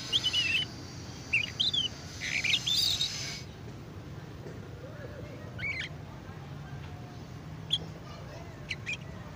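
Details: Juvenile AF canary practising ngeriwik, the learning twitter: a burst of loud, wavering whistled chirps in the first three seconds, then quieter scattered squeaky notes over low background rumble.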